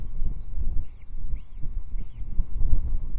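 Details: Osprey at Loch Arkaig nest, 23 May 2024, with a wandering chick gathered back by its mother; three separate arched, whistled notes about half a second apart, set against strong low wind noise.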